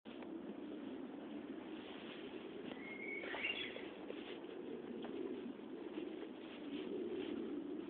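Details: Japanese bush warbler singing: one long steady whistle, then a quick warbled flourish that climbs higher, heard once over a constant low rumbling background hiss.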